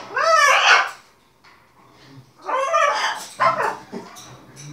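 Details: Pet macaws at play with their owners in a small room: a loud, arching, harmonic 'wooo' call, a quiet gap, then another swooping call followed by a shorter, harsher note and faint speech.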